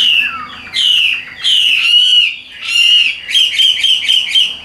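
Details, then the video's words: Caged hwamei with yellow legs and bill, singing rich whistled phrases with rolling, wavering notes, delivered in separate bursts about a second long with short gaps between. "Giọng Hay Siêng Mỏ"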